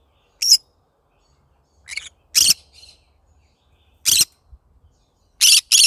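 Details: Morning song of a pet green-cheeked conure, yellow-sided: scattered harsh, buzzy screeches in irregular bursts, ending in a quick double squawk, with quieter chirps between.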